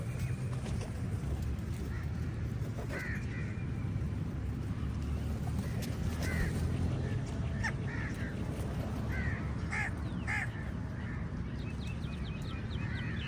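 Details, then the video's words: Crows squabbling with eagles over food give scattered raspy calls every second or two, some doubled, rising in number toward the end, over a constant low background roar. "Lots of Crows fight with EagLes for meaL and Different Crow sounds"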